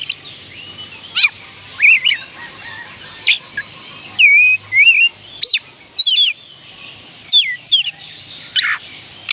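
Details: Oriental magpie-robin song intended to make lazy birds sing: a lively, varied string of whistles, slurs and sharp chips, many short phrases in quick succession, over faint constant hiss.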